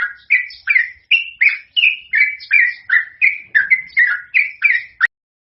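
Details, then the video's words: Yellow-vented bulbul, called trucukan, in long rapid song meant as a lure for other birds. Chirpy, falling whistled notes repeat about three a second, then stop abruptly before silence. "suara trucukan gacor ropel panjang cocog untuk pancingan"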